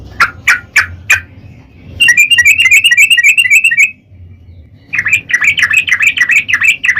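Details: Sooty-headed bulbul singing long rapid 'ropel' phrases as a lure for other bulbuls: four spaced sharp chirps, then a fast rattling run, a brief lull, and another stream of quick varied notes.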